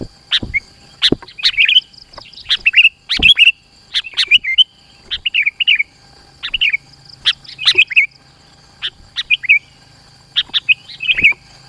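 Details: Sooty-headed bulbul singing hard in dense bursts, a lure for drawing rivals in: chattering, bubbly whistled phrases tumbling one after another for over ten seconds, a faint low hum and clicks underneath.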